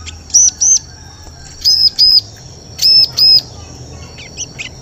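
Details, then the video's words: Paired high chirps of a bar-winged prinia, each pair a quick double note with about a second between pairs, over low background noise; a lure call for attracting birds. "Suara Pikat Burung Ciblek"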